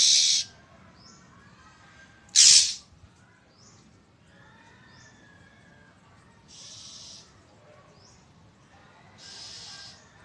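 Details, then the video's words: Oriental magpie-robin giving a loud, prolonged threat call on 1 April 2023: two strong harsh rasping bursts, then softer scratchy hisses a few seconds apart, with faint whistled notes in between. "นกกางเขนร้อง เสียงนกกางเขนร้องดังปวดหูมาก"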